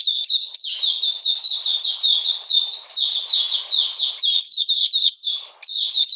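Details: Singing Oriental magpie-robin, cold and rainy day, 13 June 2020; a long flowing chain of quick falling whistles, with one short pause near the end before the phrases resume.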